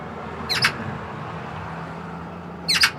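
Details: Eurasian magpie gives its chatter call, two short, harsh, rattling bursts about two seconds apart, over a low background hum.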